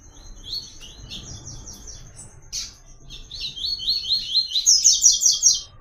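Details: Caatinga double-collared seedeater singing the "Tui Tui" melodic pattern as a song-training model. Bright, high notes come in fast repeated strings, growing louder toward the end into a ringing rapid series, with a steady high hum behind.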